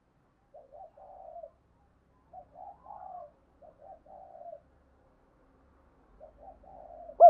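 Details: Spotted dove coo used for training and luring birds: three clear phrases, each a short double coo followed by a longer falling coo, separated by pauses of about a second, over a quiet background.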